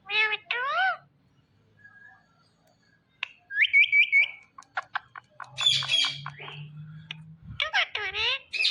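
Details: Indian ringneck parrot producing warbled, speech-like calls, a run of trilled whistles, clicks and harsh squawks, ending in loud wavering harmonic cries, with a low hum underneath.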